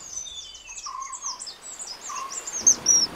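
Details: Two male common kingfishers in India's Western Ghats at the start of their breeding season, in the dry season of a record-hot summer, call while contesting territory with wing and necking displays: a rapid string of shrill, high whistled notes with lower chirps beneath.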